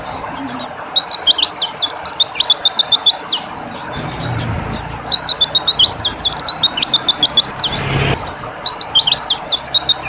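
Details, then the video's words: White-eye bathed with water to make it sing quickly; fast, high, trilling chirps in long continuous runs of short sliding notes, with a brief low engine rumble and a short burst of noise near the end. "Terapi Air Untuk Burung Pleci biar Cepet Nembak"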